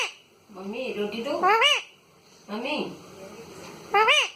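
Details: Talking parrot in a small room, voicing two word-like bursts of wavering, voiced syllables about two seconds apart. Each burst ends in a sharp, upward-bending note.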